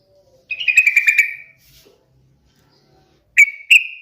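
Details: Sooty-headed bulbul song: a bright, fluttering run of quick whistled notes lasting about a second, followed after a pause by two sharp slurred notes.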